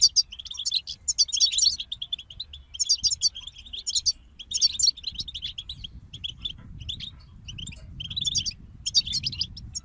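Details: Group of European goldfinches delivering repeated bursts of fast, tinkling twittered song with buzzy trilled notes and single chirps between, while a low rumbling background noise swells toward the end.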